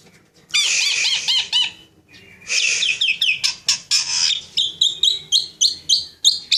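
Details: Kept Javan Asian pied starling in energetic song, mixing grating buzzy bursts with a fast run of loud, clipped notes repeated about four times a second.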